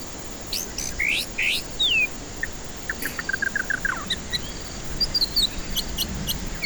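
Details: White-rumped shama, recorded to prompt singing from stressed, silent birds: loud sweeping whistles, a rapid run of low chipping notes, then scattered high twittering whistles over background hiss.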